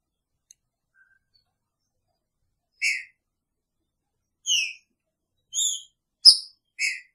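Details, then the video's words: After nearly three seconds of quiet, a caged green-winged saltator kept with its female gives picharro song: five clear whistled notes, one slurring down, spaced roughly a second apart, plus a sharp tick. "Trinca Ferro com sua fêmea!! Picharro"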